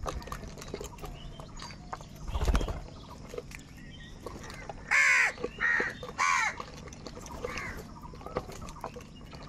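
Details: Angry crows squabbling over food: after a stretch of quiet background rustle, three loud raspy caws come in quick succession, spaced roughly half a second apart.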